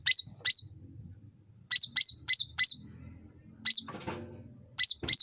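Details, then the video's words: Sooty-headed bulbul heard as a lure recording meant to provoke other birds to answer quickly. Sharp, high chirps with a bent tone, given in pairs and runs of three or four, separated by short pauses. Faint low rumbling underneath. "SUARA CUCAK RANTING MEMANCING NGOTOT PALING CEPAT NYAUT"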